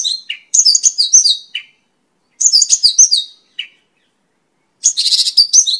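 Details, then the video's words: Mongolian lark, called Pakling locally, singing for use as a master and lure recording: three quick bursts of high jumbled chirps, the last ending in a rasping buzz. "Suara Burung Pakling (mongolian lark)"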